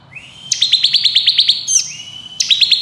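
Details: Ciblek kristal (bar-winged prinia) in nembak, ngebren style for tutoring contest birds: a rising whistle, then a quick series of about ten sharp high notes, another upslurred whistle, then a fresh burst.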